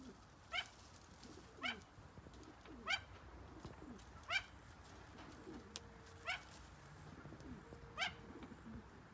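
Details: Young captive great argus pheasants of the Malayan form, a recently acquired pair, give short sharp falling call notes about once every second or so, seven in total, with faint low tones and rustling in between.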